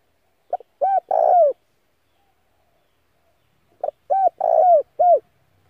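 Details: Spotted dove calling as a decoy to attract other doves and for daily voice training; two phrases of short hooked coos around a longer burry middle note, repeated after about three seconds, clean background.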